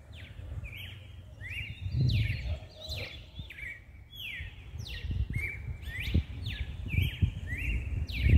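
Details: Seedeater song in mateiro style, played to get males going: a long, fast stream of slurred descending whistles and short level notes, repeated without pause, with background rumble and occasional knocks.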